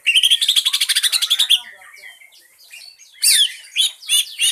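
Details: Green leafbird lure song (pancingan), meant to prompt other birds to sing: a rapid buzzy trill of about fifteen quick notes, then softer scattered twittering, then loud harsh chattering bursts near the end.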